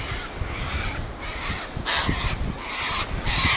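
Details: Sulphur-crested cockatoos (Cacatua galerita) gathered in a flock, screeching and squawking: broad harsh screeches overlapping near the end, over strong wind rumble.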